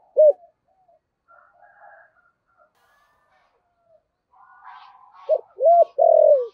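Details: A decoy spotted dove, giọng thổ voice. A single short coo opens, then faint distant bird chatter, before a new phrase of two rounded coos and a longer falling one.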